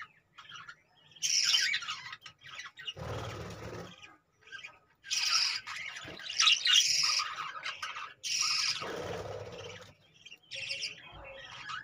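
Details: Budgerigars kept in cages chattering in a dense, scratchy warble of overlapping chirps and squeaks, coming in long bursts separated by brief pauses, with a low background hum at times.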